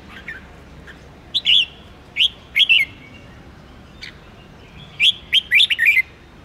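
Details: Red-whiskered bulbul singing for song-contest training: spaced bright whistled phrases of one to three notes, a short click, then a closing run of five quick warbled notes; otherwise quiet.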